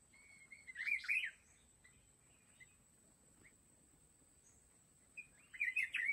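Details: Wild mountain red-whiskered bulbul during trap-fighting with a decoy bird: two short bursts of bright, warbled whistled notes about four seconds apart, quiet against a steady high thin tone and soft background hiss.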